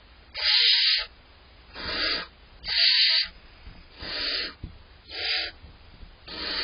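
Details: Begging from two barn owl chicks inside a nest box on July 23rd as they wait to be fed: five raspy, wheezing hisses about one and a half seconds apart, alternating louder and softer.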